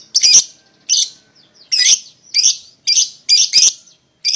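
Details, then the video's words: A couple of paud lovebirds, used as bait to make another bird call back, gives loud, harsh, buzzy chirps in bursts roughly every half second. "PASANGAN LOVEBIRD PAUD,!Pancingan Memanggil Lawan Agar Ikutan Bunyi"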